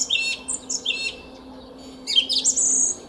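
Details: Song thrush singing in a garden at Szalkszentmárton, Hungary, on 10 April 2021 at 06:15. Short, bright whistled phrases, some repeated, then a faster burst of high notes, over a faint steady hum.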